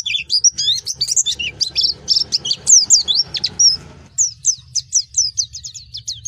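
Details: Song of a Pleci Baduy white-eye: dense, fast high twittering with jumbled chirps, then a clearer series of quick, evenly repeated downslurred notes.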